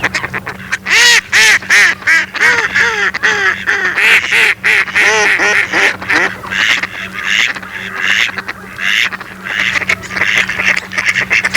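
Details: A flock of mallards gives rapid, overlapping quacks. Loud, clear nasal notes come first and bend downward, then give way to raspier chatter later, with a faint steady hum underneath.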